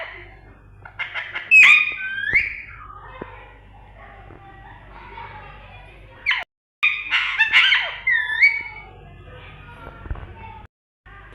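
A parrot gives bursts of harsh, squawking calls with sliding whistled notes, in two busy spells a few seconds apart, with speech-like chatter between them.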